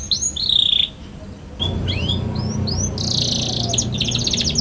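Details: Young canary chirping as a teaching recording for young canaries: a long buzzy whistled note, a pause, several rising chirps, then a loud harsh buzzy trill and fast rattling notes.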